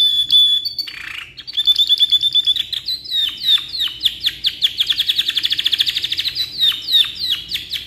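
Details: Canary in lively, long song meant as a tutor for other birds: a clear whistled note, a brief lower buzz, then fast runs of repeated downswept chirps that speed into a dense rolling trill near the end.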